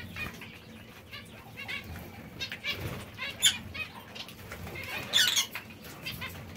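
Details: Zebra finches pecking seeds and fresh salad produce scattered nasal calls and chirps, soft at first, building to louder overlapping notes around five seconds.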